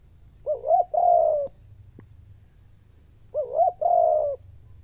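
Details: Spotted dove cooing meant to stir even the hardest decoy birds to answer: two identical phrases about three seconds apart, each a quick wavering two-part opening then a long smooth falling coo, in a quiet setting.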